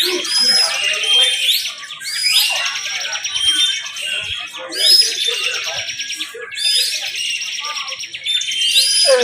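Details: Bar-winged prinias at a singing contest, delivering the continuous 'bren' style; dense, overlapping high chattering with bright rising sweeps recurring about every two seconds, many birds layered together.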